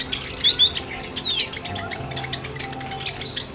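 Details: Flock of Java sparrows wintering in an outdoor aviary in Asamizo Park, Sagamihara, Japan; a pair of sharp high chirps opens, then a brief squawky note and softer twitters fade against a constant low mechanical hum.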